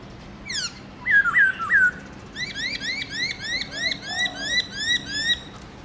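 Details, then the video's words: Morning forest-voice song of a kept black-throated laughingthrush: three loud slurred whistles, then a steady series of bright rising notes repeated about twice a second, with a softer warble beneath. "Khướu bạc má HÓT GIỌNG RỪNG- LUYẾN NHIỀU ÂM"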